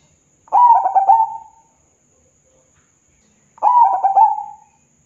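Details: Zebra dove singing to draw replies from other doves, two soft cooing phrases about three seconds apart, each a rapid burst of staccato notes trailing into a smooth low coo, with little background.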